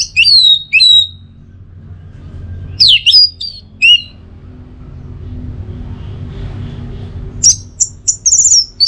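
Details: Song of an orange-headed thrush, a training and lure recording for keeping birds singing: short sharp whistled phrases with downward sweeps and chirps, separated by several seconds of near silence and a low background rumble.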